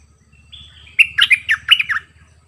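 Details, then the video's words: Bulbul used as a decoy bird, singing many songs: a thin steady whistle, then a fast run of about eight bright, warbled notes sliding up and down within one second, over a low steady hum. "เสียงต่อนกดอกแตงEp.50นกต่อ เจ้าแบงค์ เปิดดอกเพลงเบิ้ล!!ร้องหลายเพลงSuara merbah lekir gacorbahanan"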